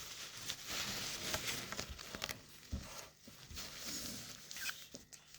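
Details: A hungry baby cockatiel being syringe-fed in the morning gives harsh, raspy begging calls, about four a second, mixed with crinkly handling noises and a person's soft coaxing voice.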